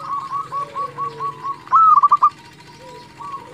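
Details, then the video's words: Zebra dove, local type, singing to make rivals respond: a softer string of pulsed coos from a distant bird, then a loud close burst of quick trilled coo notes, with faint cooing continuing after. "Perkutut lokal gacor Suara ini sangat cepat bikin lawan nyaut"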